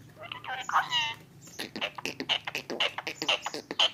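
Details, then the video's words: A talking ringneck (Rose-ringed) parakeet gives a high, speech-like phrase, then a quick run of clipped, chattering syllables about twice a second, shrill and nasal. "Face to Face Talking Parrot 🦜| Beautiful Ringneck Parrot"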